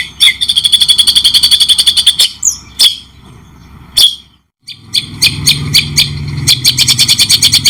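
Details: Murai batu (white-rumped shama) in a cendet-style mastering recording: a rapid buzzy chatter, scattered sharp chips with a brief whistle, a short silence, then renewed fast chattering over a low background hum.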